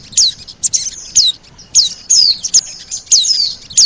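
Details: Oriental white-eye lure call for attracting birds: high, piercing descending whistles repeated about once a second, several with a fainter trailing tail.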